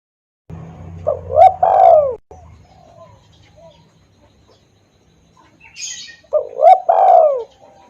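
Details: Spotted dove lure call for pulling in wild doves. Two cooing phrases of short rising notes and a long downward coo are separated by a quiet gap, with a brief hiss and low hum.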